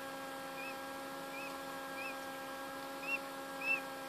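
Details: Quail chick hatching gives five short, thin, high peeps, roughly one every second or less, over a steady low electrical hum.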